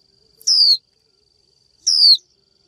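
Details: Two clear, high, downward-sliding whistles from a female Japanese white-eye giving the 'chíu' call to a male, the call used to rouse males to sing; a steady thin tone persists beneath.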